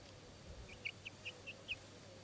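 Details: One-month-old Buff Orpington chicks giving five soft, high, short peeps at an even pace over a steady low hum.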